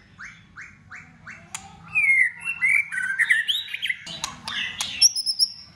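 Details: Competition-singing white-rumped shama with tail-flicking, many-voiced song: opens with four evenly spaced rising chirps, then loud twisting whistles, rapid high ticks and a final sustained high whistled note, faint low hum behind.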